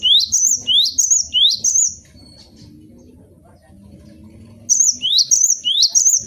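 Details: Caged cinereous tit kept as a tutor bird for training songbirds: bright whistled notes sweeping sharply upward, each ending in a short high trill. The phrase repeats three times, pauses for about two seconds, then resumes.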